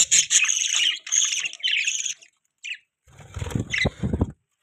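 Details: Budgerigar chatter in loud shrill bursts of warbling chirps, followed by a rougher stretch of low thumps and clicks, possibly wing flaps.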